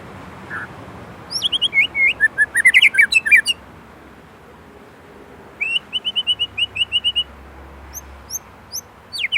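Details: Murai batu, the white-rumped shama of Indonesia, in 'gacor' filler song: a dense jumble of chattering whistles, a pause, then a quick even series of about twelve ticking notes and scattered high chips.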